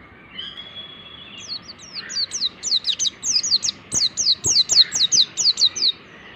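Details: Mountain white-eye singing as training material for other birds: a long, steady run of rapid, high, descending whistled notes, roughly three per second, building in loudness after a soft start.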